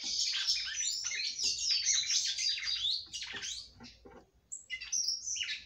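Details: A female red-cowled cardinal sings to rouse the male: a fast, dense twitter of high slurred notes fading into a pause, then a few clear whistled phrases.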